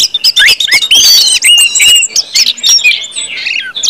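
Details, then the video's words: Orange-headed thrush in loud 'ngeplong' song for prompting other birds to sing: quick sharp chips lead into sweet sliding whistles and a scratchy, twittering finish. "KUMPULAN ANIS MERAH NGEPLONG BIKIN CEPAT BUNYI DAN GACOR ANIS MERAH"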